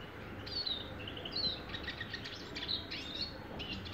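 A Eurasian siskin sings a rapid, twittering run of high, thin notes with quick slurred whistles, over a steady low background hum.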